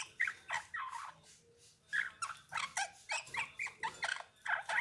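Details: Eurasian bullfinch giving a soft, rambling warble of short nasal and creaky notes with occasional whistled peaks, repeated in irregular clusters over a quiet background.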